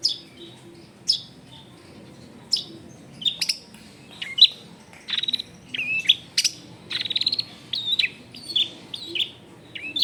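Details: Long-tailed shrike (cendet) song, full of varied mimicry, recorded in a densely populated residential area: scattered sharp high chirps and buzzy notes, then rapid chattering bursts and squeaky trills, with low background noise throughout.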